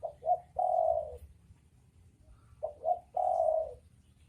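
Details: Male and female spotted doves cooing, two quick notes then a long mellow coo, the phrase heard twice in quiet surroundings.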